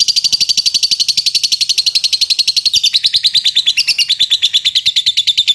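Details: Loud, close lovebird ngetik chatter used to provoke long ngekek singing: a fast, regular string of shrill, clipped notes, about two and a half per second, stepping slightly lower in pitch partway through.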